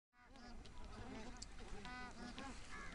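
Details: Flock of bar-headed geese feeding in winter at Tehla Jheel lake, Sariska National Park, Rajasthan, India, gives soft, nasal honks overlapping in a constant chatter, over a low background rumble.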